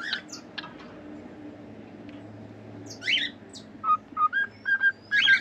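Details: Cockatiel song heard against a noisy, humming background: a few scratchy chirps at first, then a rapid series of short clean whistles near the end.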